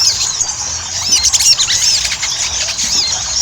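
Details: High, squeaky chatter of Ruby-cheeked sunbird, used to coax other birds to sing: fast arched notes and twitters tumble together, louder around the middle.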